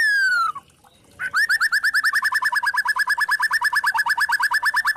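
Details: White-rumped shama song used as a lure to provoke other shamas to sing: a falling whistle, then a fast, steady series of rising chipped notes, about three per second, repeated for several seconds.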